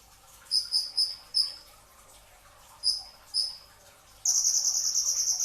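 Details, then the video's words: Pre-dawn training song of a brown-throated sunbird, called ninja hummingbird locally: a quick string of four sharp high chirps, a pause, two more chirps, then a rapid, shrill, sustained trill. "masteran pedas kicau konin dacok, kolibri ninja 2tak dada coklat full tembakan rapat di saat sahur"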